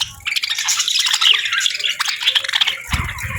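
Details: Several parakeets eat warm meals on a winter morning, chirping steadily. Warbled squeaks and grating chatter run together without pause, with a low thump near the end.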